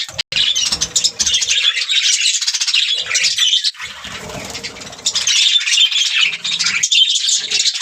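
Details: Singing budgerigars pour out a busy, chattering warble of rapid high chirps, squeaks and grating notes, nearly unbroken, easing slightly in the middle before swelling again.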